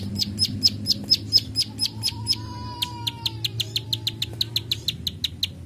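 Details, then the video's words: Plain prinia 'klik klik' song delivered at full volume: sharp, evenly spaced clicks in a steady series, with a faint thin whistled tone gliding across the middle and a low steady hum underneath. "Masteran Prenjak Sawah ( klik klik ) Gacor Full Tembakan"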